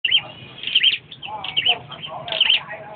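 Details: Perched flowerpecker singing: thin, high chips and short twittering phrases in bursts, with a faint drawn-out whistle between groups and a soft low murmur beneath.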